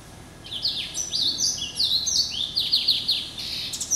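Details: Hybrid finch of yellow-eyed canary and Timbrado parentage, hatched November 2012 and kept at home, pouring out an unbroken high, rapid, twittering song of sweeping and trilled notes.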